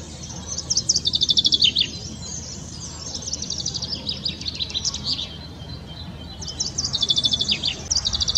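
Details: Common chaffinch singing in spring, its melodious cascading phrase. Three bright phrases of rapid repeated high notes tumble downward and end in a flourish, one about every three seconds. Faint rural background hiss.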